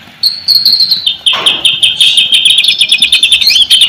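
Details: White-rumped shama song played to make silent shamas respond: a high, fast, rattling trill held almost throughout, with a brief rushing noise near the start.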